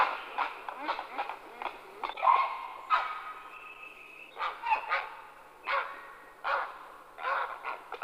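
Grey heron giving harsh, rasping croaks in irregular bursts, roughly a dozen over eight seconds, some clipped and some drawn out, against quiet background.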